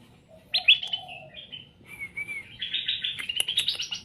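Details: Straw-headed bulbul singing, played to make birds answer: a loud bright opening note slides into a smooth wavering whistle, then a dense, bubbling, rising warble. Faint lower chatter sits beneath.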